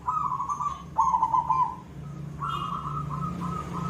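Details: Zebra dove, called perkutut, singing koong-style: linked rolling coo phrases, one beaded and slightly falling, then a long level phrase, with low droning noise underneath.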